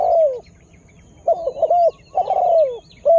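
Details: Spotted dove lure call to draw wild birds; loud warbling coos with a long falling final note, small birds chirping faintly behind.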